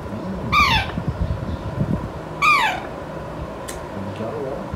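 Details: Five-month-old pet Alexandrine parakeet, not yet talking, calling: two loud, harsh squawks falling in pitch, about two seconds apart, over low room noise and soft murmuring.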